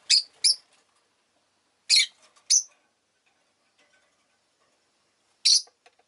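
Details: Several pet rosy-faced lovebirds, fairly vocal on this day, give piercing high chirps in pairs separated by silent gaps of a second or more, with a single chirp at the end.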